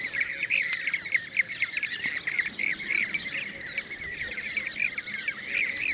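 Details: Blue-cheeked Bee-eaters (Merops persicus) in Şanlıurfa, Turkey, 2016, give a continuous chorus of rolling, trilled chirps, several birds calling over one another without pause.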